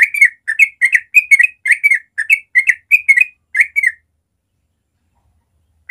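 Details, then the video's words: A Yellow-vented Bulbul's ropel song at morning, a natural recording to prompt young birds: a fast, continuous string of about fifteen chortling whistles lasting four seconds, then silence and one last note. "Masteran Trucuk ropel suara alami pagi hari cepat merangsang trucuk muda belajar ropel"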